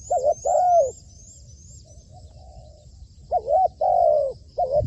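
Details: Trained decoy spotted dove on a rooftop gives a looping short coo and a long drawn coo, pauses, then repeats the phrase with an extra short coo; faint high rhythmic chirps in the background.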